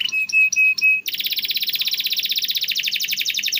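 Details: Domestic canary singing, intended to prompt quiet or stalled canaries: four short flat whistles in a row, then a fast, even buzzy trill held for more than two seconds.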